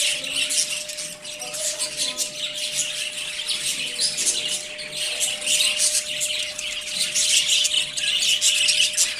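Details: Several budgerigars chatter in the morning: busy high-pitched chirps, squeaks and warbles tumbling over one another nonstop, with louder bursts toward the end and a constant faint hum in the background.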